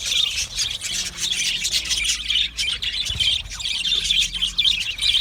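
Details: Chattering budgerigars, continuous scratchy warble with quick tweets and brief whistles, a short dip in volume midway before the busy high chirping resumes.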